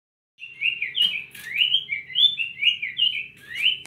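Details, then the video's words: Cinnamon tanager song from captive birds, a quick run of warbled, slurred whistles that rise and fall, delivered continuously with a few sharp clicks between phrases. "Bicos de Veludo dando show"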